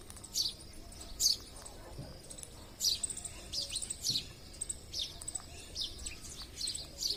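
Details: Wild parrots visiting a home give repeated harsh, shrill screeches, about a dozen short calls of varying strength spread through the clip, rather soft and set against a steady background hiss.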